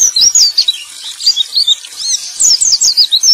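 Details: Male white-eye song played to prompt white-eyes that have stopped singing to sing again: rapid, very high thin twittering of sliding, chirped notes in dense bursts, with a brief softer pause midway.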